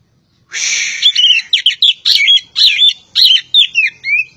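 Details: A Javan kacer poci magpie-robin opens with a harsh, buzzy note, then pours out a lively string of short whistled and chattering phrases. Many phrases slide downward, ending in a clear upward whistle.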